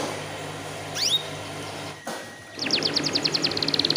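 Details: Canary lure song, meant to prompt untrained young canaries to start singing: one sharp upswept whistled note, a short pause, then a fast, even rattling trill of high clipped notes building toward the end over a low steady hum.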